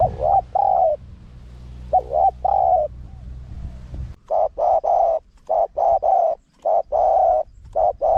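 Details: Spotted dove giving a wild-style, small-voiced call meant to lure wild doves. Steady hum under the first half, then a rapid run of short and long coos packed closely together.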